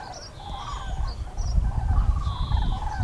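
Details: Common cranes passing overhead above the Eifel, Germany, on 6 March 2018, give overlapping rolling, trumpeting calls, several birds at once, partly masked by a steady low rumble of wind.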